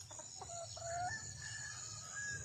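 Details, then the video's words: Junglefowl hen in the wild, calling to attract a male: a few quick clipped notes, then a longer rising harmonic note, then a thin sustained tone trailing off. A constant high-pitched insect hum fills the background. "le bruit d'une poule sauvage,เสียงไก่ป่าร้องหาถู่หาตัวผู้,ສຽງໄກ່ປ່າຮ້ອງຫາຄູ່ຮັກ, poj qaib qus see"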